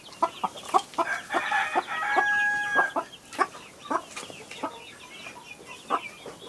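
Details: Domestic hen with her baby chicks on a farm: short, repeated clucks roughly every half second, mixed with a burst of high peeping from the chicks and a steady tone in the middle.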